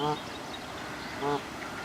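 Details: Moulting Canada geese on the South Pond in Midhurst, West Sussex, England give two short, nasal honks about a second apart, rich in overtones, over a steady hum of wind and distant background noise.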